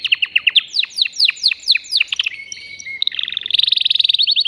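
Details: Agitated male canary in a cage, singing to rouse a female for breeding. Loud, steeply descending slurred notes come in a steady series, then a brief flat whistle and a rapid, rattling high trill.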